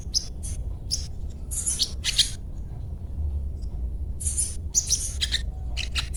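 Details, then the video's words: Little spiderhunter (sogon) producing isolated sharp, very high chips and short squeaky bursts spaced by quiet gaps, against a steady low rumble. "Sogon Bunyi cuet cuet cuet"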